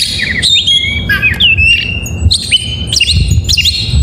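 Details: Morning song of an oriental magpie-robin: clear whistled notes and slurred upward and downward phrases, with short bright chirps repeated in a lively, irregular flow, and a low rumbling hum beneath.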